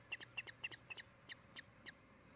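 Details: Osprey at a nest in Charlo, Montana, recorded by a nest camera on an afternoon in mid-July 2018; eight sharp, high chirped notes at a steady pace, the later ones fainter, over a faint steady background hiss.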